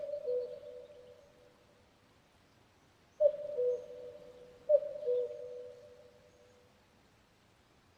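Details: Fading tail of one cuckoo call, quiet, then two distinct cuck-oo calls from a common cuckoo about a second and a half apart, each two soft descending notes ringing on.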